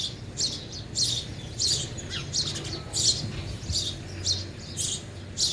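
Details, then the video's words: Short, sharp chirps from sparrows eating at a feeder, repeated roughly every half second to second, unevenly timed, with a soft background rumble. "sparrow sound effect | ચકલી ઘર | chaklino avaj"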